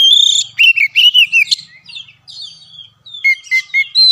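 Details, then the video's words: Oriental magpie-robin singing to prompt a caged bird: warbled lower whistles, then a pause, then repeated short clear notes ending with a rising whistle. "BUAT KACER MACET || SOLUSI MASTERAN MUJARAB"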